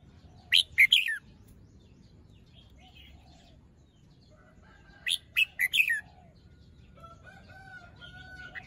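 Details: Red-whiskered bulbul showing off its song phrasing in the morning, plumage fluffed, still moulting and crest not fully grown; two bursts of loud, bright, slurred whistled notes about four seconds apart, softer warbling between, faint background hum.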